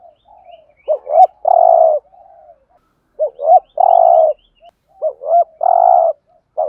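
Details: Decoy 'thúc gù' cooing of a spotted dove in the 'Thổ' style, used for trapping birds. Curved twin notes lead into a long, steady, deep coo, given three times over almost seven seconds.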